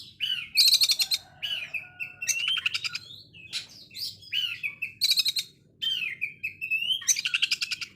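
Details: Oriental magpie-robin delivering coarse 'konslet' bursts said to sound like a sewing machine, mixing high buzzy rattles with sliding whistled phrases, separated by short silent gaps.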